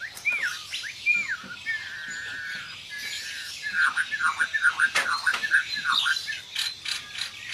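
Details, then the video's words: White-rumped shama in a sharp-voiced 'tembakan' combination with tight rolls: a few looping whistles open, then a steady note, followed by a fast, rolling series of repeated notes, roughly two per second. "Kombinasi Tembakan Murai Batu Suara pedas roll rapat"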